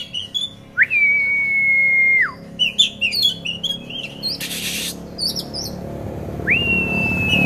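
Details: Caged Oriental magpie-robin, a promising contest prospect from Kisaran, singing a long, steady whistled note that swoops up, holds level and drops away. Quick chattering notes and a brief harsh rasp follow before another long whistle begins.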